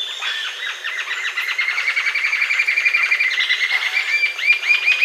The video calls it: Canto Da Ariramba De Cauda Verde, Green-tailed Jacamar